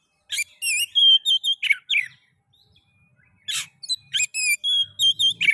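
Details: Oriental magpie-robin (kacer) lure song to encourage other magpie-robins to sing: bursts of harsh rasping notes mixed with clear wavering whistles, broken by a short silence, then a fresh run of varied phrases.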